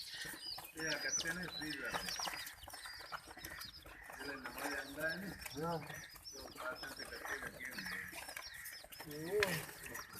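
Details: Domestic chicks being harassed by ducklings give a steady stream of high, thin, overlapping peeping chirps. People talk over them, and other young birds may be calling nearby.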